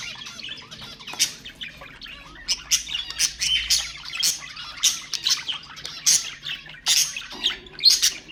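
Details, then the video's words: Budgerigar warbling played to stimulate other birds: steady bursts of high, scratchy chirps and tweets roughly every half second, building to a lively chatter toward the end. "اقوى أصوات طيور البادجي طيور الزينة أصوات تحفيز الطيور"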